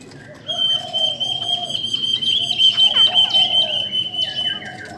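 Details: Female Chinese hwamei calling to excite males: a long, sustained high whistle held for several seconds, with short sliding notes and a lower warble alongside.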